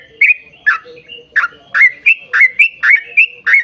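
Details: Long, lively yellow-vented bulbul song meant to draw other bulbuls into singing, made of rich liquid whistled phrases, rising and falling, delivered nearly once a second with brief gaps.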